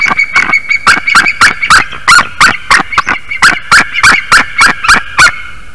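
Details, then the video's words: Rapid run of about seventeen loud, harsh yelping notes, roughly three per second, from a female white-tailed eagle on her Latvian nest at Durbe as the male lands on her back during the early-morning incubation change. "Voldis lands on Milda's back! She cried out like it was painful"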